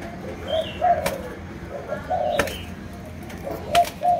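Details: Spotted dove, Malaysian line, giving scattered low coos between pauses, mixed with sharp clicks or knocks and faint higher chirping nearby.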